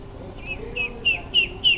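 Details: A duckling sneaking around below a first-floor vantage point, searching for food, recorded on a Fujifilm JX250: five short, clear, slightly falling peeps, getting louder, spaced about a third of a second apart over a quiet background.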